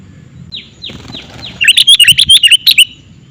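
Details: Sooty-headed bulbul lure call, opening with four thin downslurred whistles, then a quick, lively series of bright chirps repeated several times per second over low background noise.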